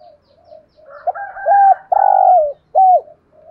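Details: Decoy spotted dove calling in the 'thổ' voice style to trigger cooing from wild doves. Faint quiet coos, then a low hooting phrase of a brief note, a steady coo, a long burry coo falling at its end and a final arched coo.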